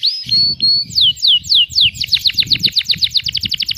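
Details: Training recording of a canary singing the cengkok mewah style: flat whistled notes give way to steep descending sweeps, then a quickening series of short repeated chips that speeds into a rolling trill.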